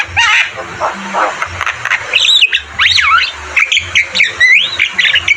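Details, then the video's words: Javan myna singing vigorously, used as a training recording for caged mynas: a busy mix of loud looping whistles, sliding upward and downward notes and harsh rasping squawks, delivered in quick bursts with short gaps. "Masteran burung jalak kebo gacor Terbaik"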